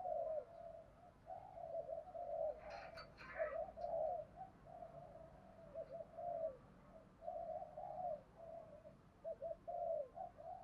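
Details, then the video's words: Decoy spotted dove with a well-structured cooing song, meant to make other doves call quickly; a long run of low hollow coos in uneven phrases, with a burst of clicking or rustling noise near the start, steady background hiss. "Chim cu gáy mồi có giọng gáy hay và bài bản, kích bổi nhanh nổi và gáy nhanh"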